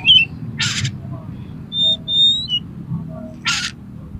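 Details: Oriental magpie-robin singing in a highly aroused fighting mood, meant to provoke other magpie-robins into spreading their tails; thin high whistled notes alternate with two harsh, broadband rasping bursts over a low rumbling background.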